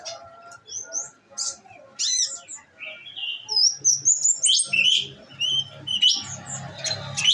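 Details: Nectar-fed olive-backed sunbird in a cage sings in the 'nembak' manner. Scattered high whistled and buzzy notes build into a quick run of loud, sharp chirps. A low hum runs underneath.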